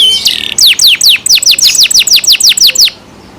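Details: Captive canary with a loud chirping song: a short buzzy burst followed by a regular series of bright downward-slurred whistles, about five per second, ending abruptly.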